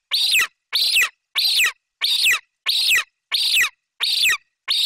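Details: Eaglet of the golden eagle, Bucovina, calling excitedly for prey its mother has brought, a magpie; steady run of eight rasping, shrill screams, each falling at the end, repeated every two-thirds of a second.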